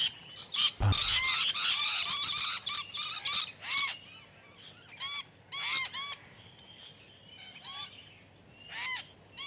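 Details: Captive exhibition budgerigars calling together: a dense burst of overlapping chatter, then separate bright, arched chirps with harmonic overtones, each repeated about every half second with brief pauses between.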